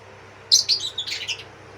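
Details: Newly hatched pouter pigeon chicks, a domesticated fancy breed of rock dove: a brief burst of thin, high squeaky cheeps lasting about a second, over quiet indoor hum.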